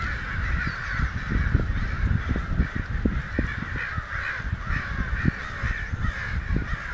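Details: Many excited crows, perhaps a hundred, raising a racket down a Santa Rosa street on May 29, 2013, most unseen; continuous chorus of rough overlapping caws with frequent low knocking thuds throughout.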